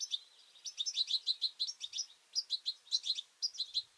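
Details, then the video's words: European goldfinch juveniles and adults at a two-port seed feeder, fighting over places; crisp rapid twittering chirps in tight runs, each burst of six to ten notes separated by brief pauses. "Goldfinches fighting and chirping juveniles"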